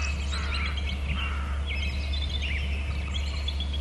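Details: Bald eagles at a nest territory on Hornby Island, two birds calling: several high, thin descending whistled notes, spaced roughly a second apart, over a steady low hum and faint chirps from other birds.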